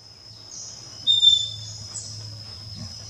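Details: Scaly-breasted wren in Colombia, a bird often heard but hard to see, giving one pure, clear whistled note held steady for about a third of a second, over a constant high insect hiss.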